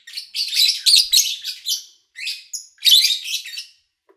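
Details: Lovebirds recorded in a quiet home in August 2019 with little human activity; long harsh, chattering phrases of high scratchy notes, broken by one short pause.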